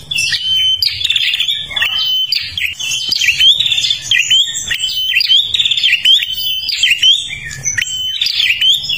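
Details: Kalimantan prinia in full, energetic song meant to draw in other birds: dense, rapid high chirping, with twittering phrases linked by thin steady whistled notes and sudden upward flicks, almost without pause.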